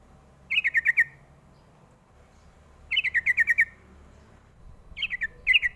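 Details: Sooty-headed bulbul lure meant to make young birds answer: three bursts of rapid bubbly notes, the first two of about five or six notes, the last broken and faster.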